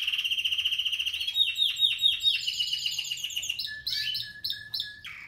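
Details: A 2017 Spanish Timbrado canary gives a steady trill, then a series of rhythmic falling notes, ending in scattered sharp chirps at varied pitches.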